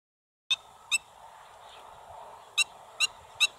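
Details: Black-winged stilt calling at Pont de Gau: five sharp, nasal, yelping notes, two close together early, then a pause of over a second and three more about half a second apart, over a low background hum.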